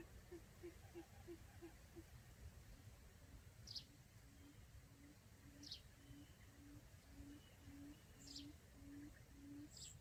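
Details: Quail lure call used for trapping quail: a quick run of short, low hoots, then steadier, longer low hooting notes repeated about twice a second. Faint, high, downslurred chirps from other birds sound above, over a low background rumble.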